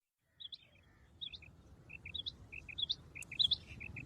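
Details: Common quail (batair) calling: repeated three-note phrases, a short high note followed by two lower clipped notes, fairly faint over a soft low background rumble.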